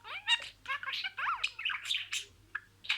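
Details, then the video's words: Talking budgerigar repeating words in order: slurred, descending squeaky syllables and buzzy rasps in quick succession, followed by a short pause and a final scratchy note. "MUHABBETKUŞU KONUŞMA SESİ"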